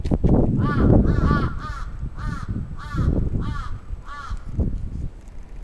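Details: Crow attack on 27 June 2017 in Atsubetsu Ward, Sapporo, Japan: repeated grating caws about every half second against loud low rumble and rustling.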